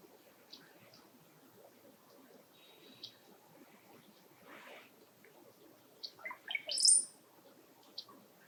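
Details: Brown-headed Cowbird (Molothrus ater) calls from a tree: a quick run of liquid, gurgling notes ending in a thin, very high whistled squeal. Earlier come a brief high whistle and scattered faint chirps over soft hiss.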